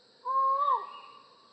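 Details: A single long, nasal note from a collared forest falcon, held level and then dropping away at its end, clear and loud against near silence.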